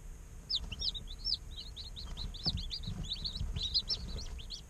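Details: A group of day-old chicks chirps almost nonstop, high thin peeps tumbling over one another in rapid succession, with a low background hum and faint bumps.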